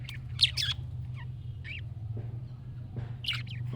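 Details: Budgerigar chirps played so a pet bird calls back: a few bright rising and falling chirps in short clusters over a steady low electrical hum.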